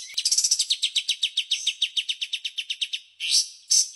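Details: Rapid 'tembakan' song of a white-shouldered triller: around twenty crisp notes fired in a steady stream, followed by two short harsh, rasping bursts.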